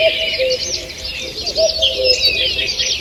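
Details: Forest birds singing on a June morning, 2 June 2023: many high twittering and whistled phrases packed together, with a soft low double note at the start and again near the middle.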